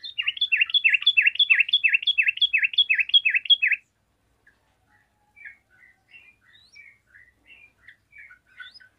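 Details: Yellow-vented bulbul song answered by other bulbuls: nearly four seconds of rhythmic, repeated V-shaped whistled notes, then quiet, scattered distant chirps.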